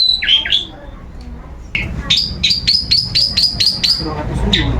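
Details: Caged long-tailed shrike singing nonstop while put out to sunbathe as a daily routine: a few sharp downslurred notes, a pause, then a quick run of about eight bright, repeated high chips, with low background rumble.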